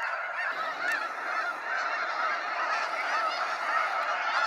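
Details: Snow geese in waves at a sunset fly-out, Sacramento National Wildlife Refuge: a dense, continuous chorus of overlapping nasal honks and yelps from a large flock, steady and unbroken throughout.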